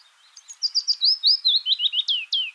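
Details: Willow warbler (Phylloscopus trochilus) song: a sweet, liquid phrase of about a dozen notes sliding gradually downward in pitch, ending with a couple of soft flourishes.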